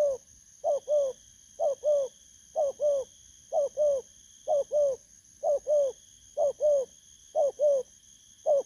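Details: Spotted dove, a wild-caught bird of the 'bầu' call type, repeats a steady two-part coo, brief first note and fuller second, roughly every second for nine seconds; faint constant high tone in background.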